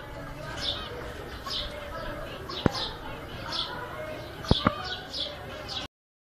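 Zebra finch giving short, high, nasal chirps repeated at an uneven rhythm.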